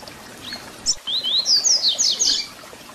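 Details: Double-collared seedeater, called papa-capim, singing the 'Tui Tui Zel Zel' song meant for young birds to copy: a brief high note, then a rich run of rising and falling whistled phrases about one and a half seconds long.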